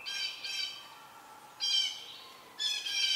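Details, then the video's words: Young Southern Red-shouldered Hawks ready to fledge at their nest as an adult brings a snake; three loud, raspy, harmonic squawks spaced about a second apart, each lasting half a second or more. "Red shouldered Hawk nest"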